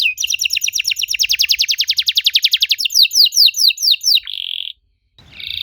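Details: Canary singing a strange-sounding lure meant to get young canaries to reply: a rapid high rattle-like trill that turns into descending slurred notes, then a brief buzzy tone, a short pause and another buzz.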